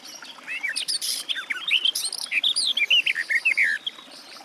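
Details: Sylvia borin, the garden warbler, pours out a brisk, continuous warble of slurred, mellow notes mixed with a few higher chips, lasting about three and a half seconds.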